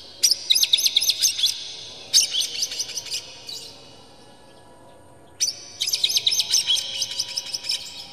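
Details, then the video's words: Agitated Oriental magpie-robin with tail fanned, singing to provoke rival magpie-robins: dense bursts of rapid, high chattering notes, separated by a silent gap of about two seconds, then a long run of busy, twittering phrases. "dijamin kacer langsung ngamuk2 dengar kacer ini bongkar emosi buka ekor ngobra full isian"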